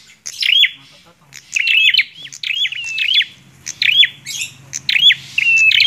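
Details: Singing bar-winged prinia delivers repeated high, sharp chip clusters and a drawn-out thin whistle, phrase after phrase with little pause; a low murmur sits faintly underneath.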